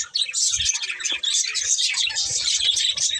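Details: Pet budgies chirping together, a dense, continuous chatter of quick high twittering notes and warbles with no pauses, several birds overlapping, plus faint low knocks underneath.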